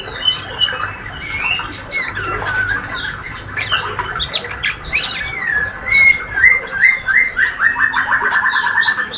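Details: Ngriwik chatter from a spotted young male white-rumped shama, healthy and fighter-type. Mixed chirps and slurred whistles give way to a fast train of short repeated notes near the end, with a faint low hum underneath.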